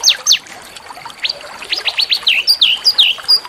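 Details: Small songbird used as a masteran song to spur a white-rumped shama into singing: varied sharp whistles, some dropping steeply, others rising, then a quick run of slurred notes with rising-falling inflections.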